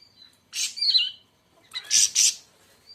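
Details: Siri-siri besar, or siri-siri raja, giving two loud bursts of harsh, squawky high notes, the first trailing into a brief falling whistle, with quiet gaps between.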